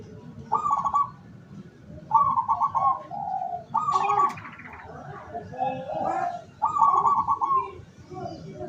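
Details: Local decoy zebra dove used to lure wild doves, recorded 17 August 2023; four short pulsed trilled phrases roughly every one and a half seconds, interspersed with soft coos and a brief clatter of other noise.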